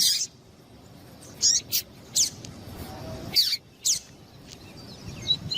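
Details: Double-collared seedeater (coleiro tuí tuí), male song with female calls used to warm up males: short, high chirped notes in separate bursts roughly every half second to second, with thin faint whistles near the end.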